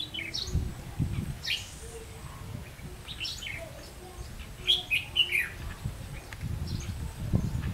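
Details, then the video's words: Red-whiskered bulbul serving as a trapping lure, recorded 30 May 2016: lively clusters of descending whistled chirps and louder warbled bursts, with soft thumps and low rustling in the background. "Bẫy chào mào cánh -ché"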